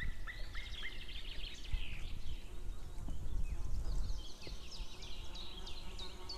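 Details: White-tailed eagle female and distant male both calling outdoors, 2 May 2016, late morning: a few lower yelps open, followed by a rapid chain of high, falling yelping notes over a constant low-frequency roar.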